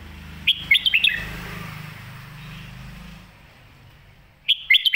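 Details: Red-whiskered bulbul giving the 'Phat Kuay Tiew' master song, a favoured phrase style. A fast run of clear, bouncing whistles opens, then a hushed stretch with low rumbling, then the same phrase starts again.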